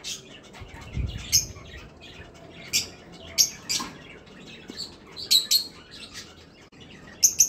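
Kakariki giving short, high, sharp chirps in irregular bursts every second or two, over a faint low background hum.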